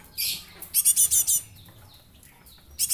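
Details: Young Java sparrow serving as a lure bird: one drawn-out high note, then a rapid burst of five bright, sharp chips. A short pause follows, then another chip group starts.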